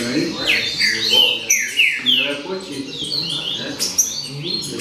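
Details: Green-winged saltator (trinca-ferro) in a 'baderna' song session: a busy stream of sharp, descending whistled notes and chirps, several per second, overlapping one another, with a low murmur beneath.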